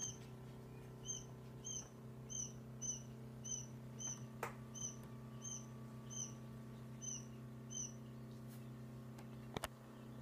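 A day-old quail chick gives thin, high peeps, about two per second in a steady run, over a constant low electrical hum.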